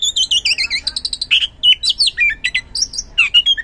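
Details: Oriental magpie-robin singing in a lure recording meant to make reluctant birds respond: fast run of bright whistled and warbled notes, rising and falling, densely packed with sharp chips throughout.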